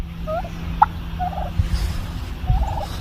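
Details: A pet female turkey gives soft, quick bubbling pops in short rippling bursts, with a faint low hum in the background.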